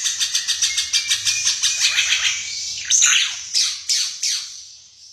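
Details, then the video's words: The Ara Mata Merah, a bird endemic to East Nusa Tenggara and increasingly rare, gives a high, thin, fast run of about eight chips per second, then several louder, sweeping down-slurred notes. "Suara Burung Ara Mata Merah"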